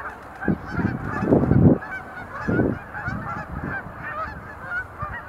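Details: Sandhill crane flock doing display leaps at Montezuma National Wildlife Refuge, November 2020. A chorus of rolling, buglelike calls continues, broken by a few strong low rumbles near the start.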